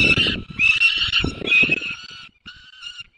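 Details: White stork at a nest in the Barycz Valley on 9 June 2020 at 10:54, calling to adopted young; the nest holds one own and three adopted chicks. Harmonic, nasal calls come in bursts about half a second long, with low knocking beneath.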